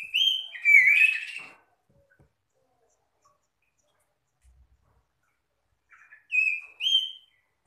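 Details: Oriental magpie-robin calling to other magpie-robins: a dense run of rich, rapid whistles in the first second and a half, then silence, then two clear rising-and-falling whistled phrases near the end.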